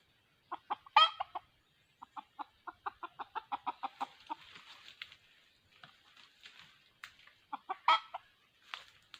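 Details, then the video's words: Red junglefowl decoy bird used for trapping wild junglefowl, giving a quick run of short, evenly spaced clucks, roughly fifteen in a row mid-clip, with louder, harsher outbursts near the start and end. "Bẫy gà rừng 2020 bổi 08"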